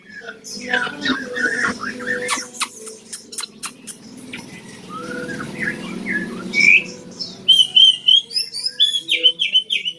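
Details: Tame Cao Bang Chinese hwamei, three seasons old, a bird said to sing well all day. Clicks and knocking noises come first, then a bright burst of repeated whistled notes and quick trills near the end.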